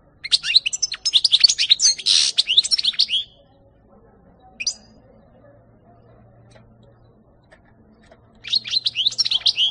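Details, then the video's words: European goldfinch, 2018: a three-second burst of jangling, twittering song with a buzzy rasp, a lone chirp after a pause, then the twittering song resumes near the end. "-ΚΑΡΔΕΡΙΝΑ-Carduelis carduelis (European Goldfinch 2018)"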